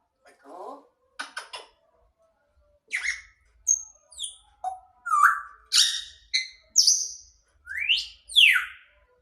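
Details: A grey parrot's mixed vocal string: a few rough clicks and squawks, then a series of loud, sharp whistled notes sweeping up and down, some piercing and high.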